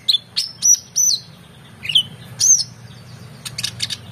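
Oriental magpie-robin singing bright, high whistled notes with sharp upward and downward slides, ending in a quick burst of scratchy chirps, over a faint low hum.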